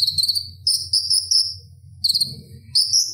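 A Purple-throated sunbird sings very high, thin, rapid twittering bursts in four short phrases with brief pauses, over a faint low hum.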